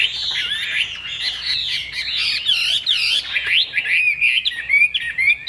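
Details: A caged Chinese hwamei sings a dense, powerful stream of looping whistles, rising and falling slurs and quick chirps, carried without pause across about five seconds.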